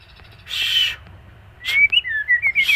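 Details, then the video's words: White-rumped shama during moult, giving a short song: a broad noisy burst, then a run of clear rising whistled notes around the middle pitch, ending in another harsh burst. "Suara Murai Mabung"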